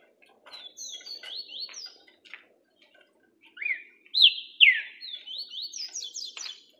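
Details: Singing green-winged saltator, orderly delivery: a phrase of quick high whistles, a brief pause, then loud ringing slurred notes that fall sharply, trailing into further rapid whistled runs.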